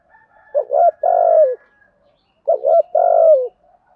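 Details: Spotted dove used as a decoy bird to lure wild doves, giving a practised cooing song: two low, hollow coo phrases about two seconds apart, each a short note and then a longer drawn coo falling at the end.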